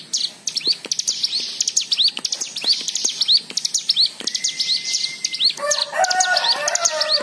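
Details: White-eye song played to coax other birds into singing: dense high twittering with upslurred whistles. A lower steady tone enters midway, and lower, rougher chattering notes join near the end.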